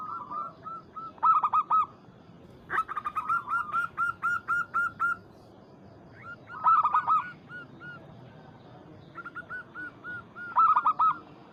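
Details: Local zebra dove (Geopelia striata) song calling out a rival: bursts of quick, soft, staccato coos, each phrase a run of a few bubbling notes ending in a trill, repeated every few seconds.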